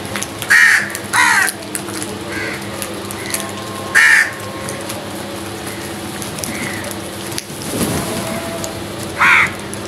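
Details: Harsh rasping caws from crows squabbling over food, uneven in spacing, some loud and close and others fainter, over a constant low hum with a brief scuffing noise late on.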